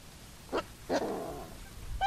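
Coscoroba swan giving two short, harsh honks half a second apart, then a brief nasal, trumpet-like note, over low background rumble.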